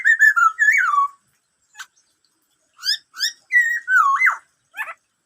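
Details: Black-throated laughingthrush song in the "bắt cô trói cột" manner: a warbling, falling whistled phrase, scattered sharp clicks, then two arched notes and a deep swooping whistle.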